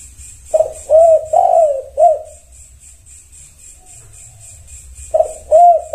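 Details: Spotted dove (tekukur) song meant to make other tekukur answer: a run of four soft, hoarse mid-pitched coos, some bending downward, then a pause and two more coos near the end, with a faint steady high ticking throughout.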